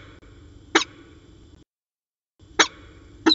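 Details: Peregrine falcon pair at Orange, afternoon of 13 January 2019: a lone rough chup, a second of near silence, then two more short rasping notes close together over low background hum.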